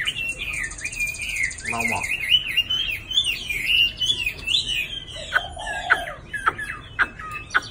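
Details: Tame caged Chinese hwamei, nearly two seasons old, moulting with many pin feathers; it is calmer when the cage hangs still. It pours out a loud, rich stream of varied whistled phrases that rise and fall, then sharper separate notes, with a faint buzz and a voice underneath.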